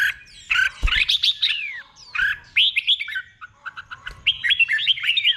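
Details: Red-whiskered bulbul, doubled song style delivered slowly and clearly for caged birds to copy: chirpy liquid whistles with downward-sweeping slurs, three phrases separated by short gaps, a soft thump early on.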